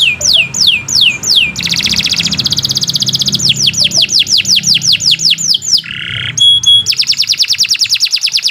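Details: Continuous, long canary song meant as a singing lure for pet birds: downward-sweeping whistles, a dense rapid trill, more falling sweeps, a lower buzzy rolled note, pure high tones, then another fast trill.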